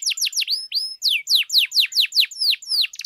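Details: Canary singing to rouse other canaries, with bright, loud downward-sweeping whistles repeated roughly four times per second, interspersed with a few flat rising whistles.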